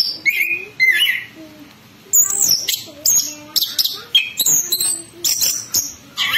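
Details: Orange-headed thrush singing a lure song in the gacor ngerol ngeplong style: loud, varied whistled and chattering phrases, with sharp high notes and brief rising and falling slurs. Short gaps separate the bursts.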